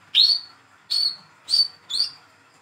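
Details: A hand-reared young olive-backed sunbird gives four clear, high, slightly rising chip notes, roughly half a second apart, as a lure to set silent birds singing.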